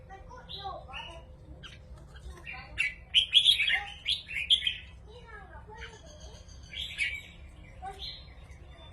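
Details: Caged red-whiskered bulbuls singing against each other in a contest: short warbled, whistled phrases rising and falling, overlapping bursts from more than one bird, with a low steady hum underneath.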